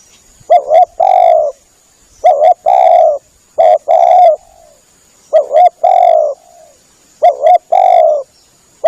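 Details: Tekukur, or spotted dove, coo used as a lure: three similar phrases, each a doubled short note then one long coo, repeated about every two and a half seconds over a faint steady high hiss.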